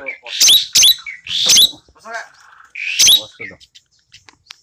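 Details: Tame caged Asian glossy starling with red eyes and black plumage, voice clear and piercing; loud rasping screeches repeated with chattering and short squeaky notes between.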